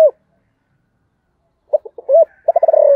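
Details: Spotted dove giving its calling and 'thúc' coos: a brief low coo cut off at the start, then after silence a stuttering run of short notes, an arched coo, and a rapid pulsed trill sliding down into a drawn-out coo.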